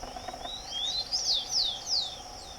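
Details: Rufous-collared sparrow singing outdoors: a soft rising whistle, a second longer rising whistle, then three loud downward-slurred clear notes, with a constant high buzzing hum behind.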